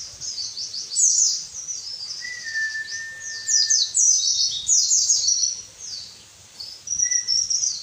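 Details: White-eye training song for prompting lazy caged birds: rapid high chattering, twittering phrases in rolling bursts, with a few long even whistles lower in pitch and faint background hiss.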